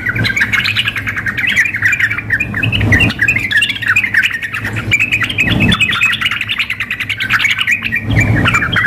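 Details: Simulated contest mix of a female yellow-vented bulbul calling a male and a vigorously singing bird. Nearly continuous twittering, bubbly notes with slight rises and falls run over a faint low hum.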